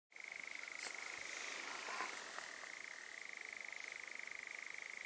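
A nightjar's churring song: a long, even, rapid mechanical trill that holds one pitch, then steps slightly higher partway through.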